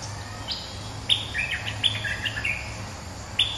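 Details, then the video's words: A bulbul, a wild resident male reacting to a decoy bird, gives bright, chattering phrases of short high chirps in quick bursts, with a final note after a pause, over faint low rumble. "เสียงนกดอกแตงEp.209 ถูกคู่ เจ้าถิ่นริก!!กระจายเลย Suara pikat merbah lekir gacor"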